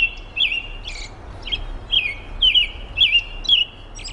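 An American robin gives short, sharp, slightly wavering calls about twice a second, over a faint steady high whine and low background rumble.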